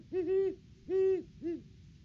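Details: Great horned owl pair duetting at their nest tree in the off-season, 3 December 2022, on a live nest cam: three deep, smooth hoots, the first two long and steady, the last shorter, with spaced silence between.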